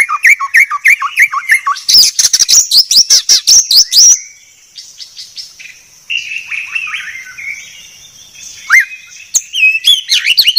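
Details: Training song of a white-rumped shama: descending whistled notes, a dense burst of harsh rapid chirps, a quiet warbling interlude, then renewed sharp whistles.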